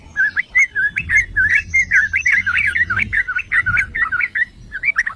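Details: Yellow-vented bulbul (trucukan, merbah cerukcuk) song used as a bait and training recording to provoke other bulbuls into singing: a fast, unbroken run of bubbly, warbled notes, about fifty bursts a minute, over a faint low rumble.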